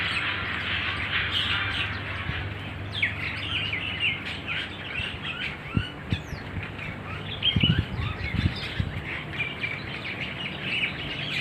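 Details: Starlings living wild in an Omani date palm garden keep up a busy chorus of sharp chirps and twitters. A few dull thumps and knocks break in partway through, over steady low background noise.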